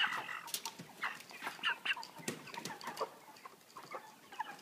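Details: Many 3 kg broiler chickens in cages with pan feeders cluck and chatter in a dense, overlapping murmur, with short higher squawks and clattering noises throughout.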